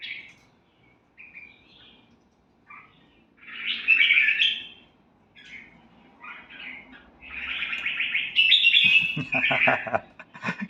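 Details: Red-whiskered bulbul song from a kept bird: scattered short chirps, then louder warbling bursts and a run of quick scratchy notes near the end, with a person talking softly in the background.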